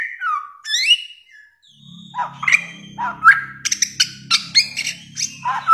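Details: Samyong, or bare-throated whistler, singing a varied sequence: downslurred whistles and high sweeping notes at first, then sharp staccato chips and whistled fragments repeated rapidly, over a steady low hum from about two seconds on.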